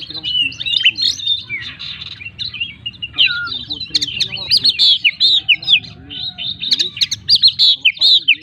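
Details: Oriental magpie-robin in vigorous full song with imitation phrases: dense run of loud, high, slurred whistles and sharp chips, about two notes per second, with a few lower whistles and clicks mixed in.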